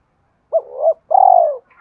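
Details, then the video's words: Spotted dove phrase for training decoy birds: a soft two-note coo rising and dipping, a brief gap, then a long steady croo that falls gently at the end. "tiếng cu gáy thúc kích bổi tập mồi hiệu quả"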